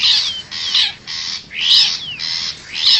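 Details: Wild long-tailed shrike from forest, a lure sound for attracting wild birds: six rasping, buzzy bursts about half a second apart, several ending in a falling whistled slur.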